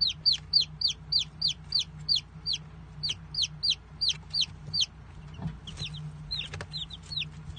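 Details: Chicks give shrill, falling cheeps in quick succession, about three a second for five seconds, then softer overlapping peeps and some rustling, over a steady low electrical-sounding hum.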